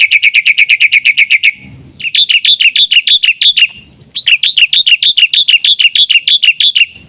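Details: Black-winged myna in full song with fill-in phrases, used as a lure and tutor for other mynas: fast runs of sharp, harmonic-rich chirps about eight per second, broken by two short pauses.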